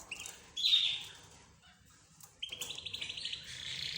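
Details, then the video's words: Mixed aviary of budgies, zebra finches, roz birds and a canary: one loud rising whistled chirp, a pause, then a steady buzzy trill of quick repeated notes with faint chatter behind. "حديث الطيور"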